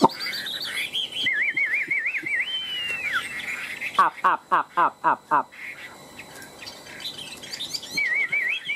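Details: Two caged Chinese hwamei, tame for three years, in a fighting-song contest: long wavering whistles, a quick burst of six emphatic repeated notes, then more looping whistles over background chatter.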